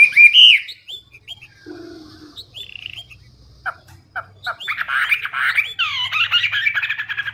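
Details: Hwamei in loud, clear, chatty song with varied phrases: sliding whistles and a low brief note, then a burst of dense jumbled high notes toward the end.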